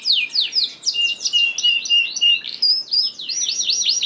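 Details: Canary song played to coax reluctant canaries into singing: quick series of high descending slurred notes, a level whistled trill, then rising and falling chirps repeated about three times per second.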